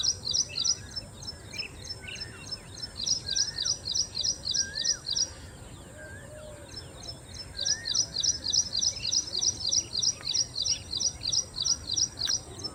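An ashy prinia sings a rapid, high, chipping series of repeated notes, about three per second, in two bursts, with softer bird calls and a steady hiss behind.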